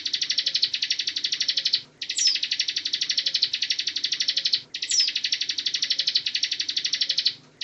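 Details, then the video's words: A Bar-winged prinia (Prinia familiaris) pours out high, rapid, buzzy trills in long runs of about two seconds, each broken by a brief pause, with no other clear sounds. "Masteran Tembakan Ciblek Gacor Ngebren | Perenjak Jawa"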